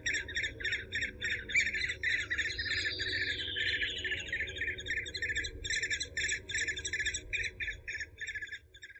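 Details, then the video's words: Eurasian hobby (Falco subbuteo) repeating quick, sharp, metallic notes about three or four per second, with a thin descending whistle sliding down near the third second and a low background hum. "Suara Masteran Burung Alap-alap Walet"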